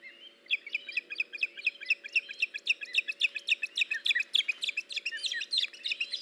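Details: Osprey at a nest camera on 21 August 2019 as the male delivers a fish to the female: a long, excited stream of rapid, high, squeaky chirps, about three or four a second, with a constant low hum.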